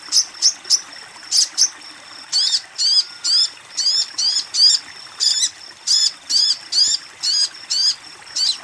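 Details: Female sogon calling a male, used to coax birds that have stopped singing: series of short, high, sharp chirps, each a quick rising-falling squeak, repeated in bursts of two or three at roughly half-second intervals.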